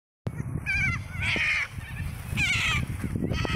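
White cockatoos give three harsh, raspy screeches about a second apart, with shorter squawks between them, over a steady low rumble of wind or handling noise.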